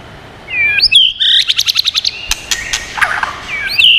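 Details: White-rumped shama singing in many voices, used for stimulating and training birds. Rising and falling whistles open into a quick series of sharp ticking notes, then slurred whistles, over a faint background hiss.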